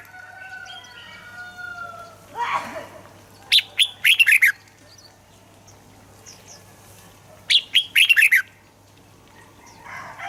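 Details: Red-whiskered bulbul song for prompting birds to sing: two separate bursts of quick, warbling whistled notes several seconds apart, with a faint thin whistle and background hiss earlier.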